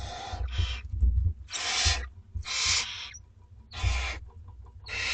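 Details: Two-week-old barn owlets in a school garden at dinner time, begging with harsh, breathy hissing screeches; six broad noisy bursts of about half a second each, irregularly spaced, over a steady low rumble.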